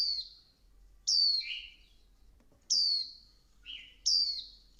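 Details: Female Swinhoe's white-eye calling to rouse the male into song. Irregular high, slurred falling notes mix with a couple of lower buzzy notes, with a faint soft knock midway.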